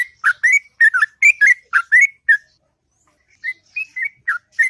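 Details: Sooty-headed bulbul singing long and melodiously in the morning in the ngropel style: quick bursts of short whistled, bubbly notes dipping and rising, a pause of about a second, then more phrases.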